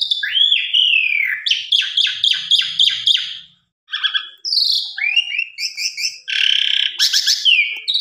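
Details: Asian pied starling lure song: a slurred whistle, then a rhythmic series of harsh pulsed notes, a short pause and renewed chattering with twangy whistles, used to get birds to sing fully.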